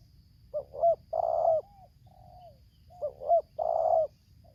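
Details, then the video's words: Spotted dove in Lampung, recorded during bird-luring: two rounds of coos, each a short rising double note, then a longer throaty rolled coo and a soft trailing note. Low steady background rumble. "suara tarik akar selang nguku"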